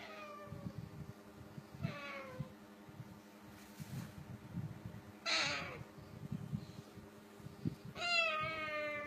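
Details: A cockatoo mixing with kittens mimics a cat with four drawn-out, meow-like calls, each falling in pitch, spaced two to three seconds apart. Soft thumps and room noise sit underneath.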